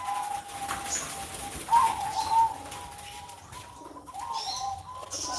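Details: Zebra dove (perkutut) kept in a cage, Sunday morning: soft rolling coo notes run through the clip, rising in a brief louder flourish midway, with faint high chirps and room noise behind.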